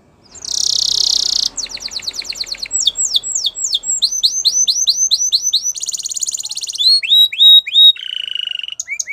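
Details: Loud canary song opening with a harsh buzzy burst, then quick series of descending whistled notes, a rattling trill and short rising chips, all high and fast.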